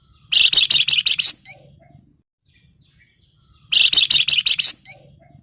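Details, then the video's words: Flamboyan in breeding condition singing at a rival, giving two bursts of fast, shrill, chattering notes about three seconds apart, each roughly one second long, separated by near silence. "SUARA PANCINGAN BURUNG FLAMBOYAN BIRAHI GACOR MANGGIL LAWAN"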